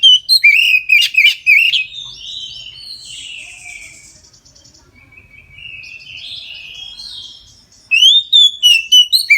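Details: An Oriental magpie-robin sings its full song at midday, used as a prompt for other magpie-robins: rapid loud whistled and buzzy notes opening, a long soft varied warble, then loud arched whistles returning.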